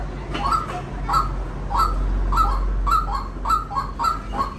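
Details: White-breasted waterhen calling in short, throaty mid-pitched bursts spaced under a second apart, somewhat uneven, against a heavy low-frequency rumble.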